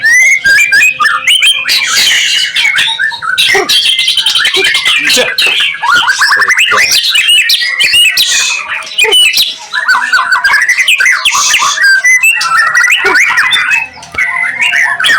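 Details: White-rumped shama in full song after seeing another bird: dense, powerful stream of fast varied whistles, harsh chattering rattles, squawks and rising slurs, almost without pause, with a short gap near the end.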